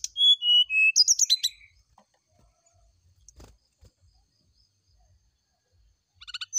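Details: Brown-chested jungle flycatcher, morning lure song: a falling series of clear whistles leading into a rapid twittering flourish, then near-silence with faint taps, and a buzzy chatter at the end.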